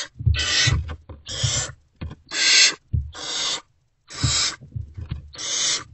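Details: Unfed great horned owl owlets in Owl Box C, around 5:30 am on 3/3/24, react to an adult arriving at the nest. Six harsh, airy hisses alternate with low knocks and shuffling from inside the box.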